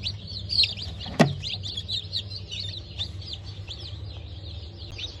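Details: Many freshly hatched Bantam Cochin and Sussex chicks peep in a busy, overlapping chatter of high, brief chirps; a single sharp knock sounds near the start, and a low steady hum runs throughout.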